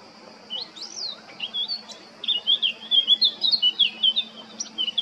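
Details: Singing male Eurasian blackcap from Baška, island of Krk, Croatia, 20 July 2022: a soft opening twitter swelling into loud, rapid, clear whistled notes.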